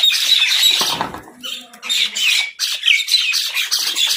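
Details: Crows squabble over food in a near-continuous stream of rapid, harsh, scratchy squawks. A brief dip mid-way lets lower, nasal notes through before the raucous chorus resumes.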